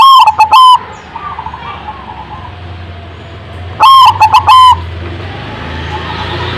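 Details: Zebra dove song: two loud bursts of rapid, bubbling notes near the low-middle range, about three seconds apart, over a faint background hum.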